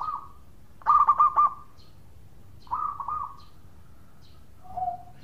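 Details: Local zebra dove in full song, used to spur other doves to sing: a fast trill of about five pulsed coos, a shorter rolling phrase after a pause, then one lower, softer coo.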